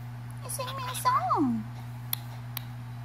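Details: Pet cockatiel singing indoors near a cat: a short whistled phrase of wavering tones ending in a clear downward glide, with a person's voice and a steady low hum in the room.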